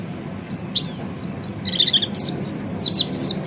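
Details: Training song of an Oriental white-eye: after a quiet start, high thin whistled slurs and chattering twitters build into a dense, bright run of descending notes.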